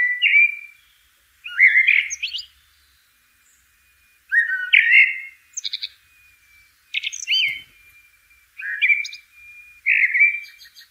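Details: Common blackbird (Turdus merula), song.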